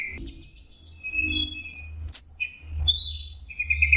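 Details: Melodious song of an orange-headed thrush: a quick stuttered trill, long pure whistles at different pitches, a sharp bright burst, then more drawn-out whistled notes. A low hum sits underneath.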